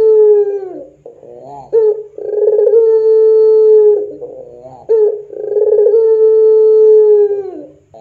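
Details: Persistently calling puter pelung dove, recorded as a lure for training doves: long drawn, even low coos lasting about two and a half seconds each, every one introduced by a brief rough gurgle and ending in a falling slur.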